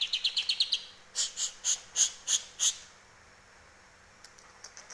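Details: Domestic greater green leafbird, trained on grey-cheeked bulbul song, delivers quick high ticking notes, then five or six loud ringing, bell-like chirps spaced about a third of a second apart, ending in quieter scattered clicks.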